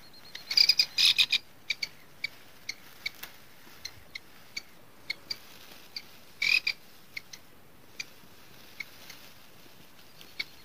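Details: Grey francolin chicks on their first day give thin, high peeps, repeated about once a second, with two brief bursts of louder, overlapping chirping.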